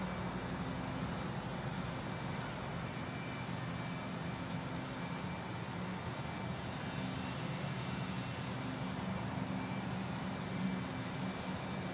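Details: Steady low engine rumble of passing vehicles or aircraft, with no animal calls heard.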